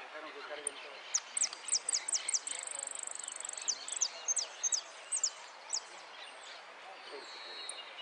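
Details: Repique-style song of a competition Amarillo (saffron finch) at a contest in Lanús, Argentina: high sharp chips in rapid series around a steady buzzy trill lasting over a second, then scattered single notes; murmuring people underneath.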